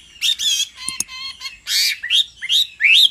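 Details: Hwamei, male roused to sing by a female's repeated calls: a run of high, varied whistled notes and short slurred phrases, some sweeping upward, with brief pauses between bursts.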